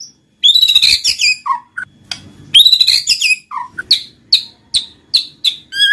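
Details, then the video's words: White-rumped shama used as a lure song to prompt reluctant birds into singing: loud, varied whistled phrases and rapid warbles, then a series of sharp, evenly spaced chip notes repeated roughly every half second, in a quiet background. "Pancinggan Murai Batu Jadi Gacor Ngeplong, Murai Malas Bunyi Langsung Respon Gacor"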